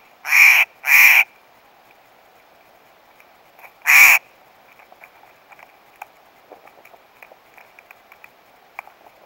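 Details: A Steller's jay, one of several eating peanuts on a fallen tree at Table Mountain campground on 21 July 2012, gives three loud, harsh, rasping calls, two close together and then one more, followed by faint tapping and rustling.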